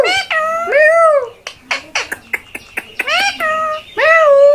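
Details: Pet talking parakeet (tia pakhi) indoors producing drawn-out, meow-like arched syllables, then a run of sharp clicks and short squeaks, and another pair of rising-falling voice-like calls.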